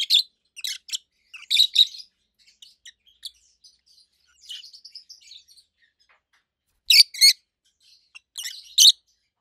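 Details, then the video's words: Loud high chirps from two healthy adult rosy-faced lovebirds, red-head green opaline and white-head pallid aqua opaline: harsh paired bursts at the start and end, a soft twittering passage in the middle. "Rosy-faced Lovebirds Call Sounds"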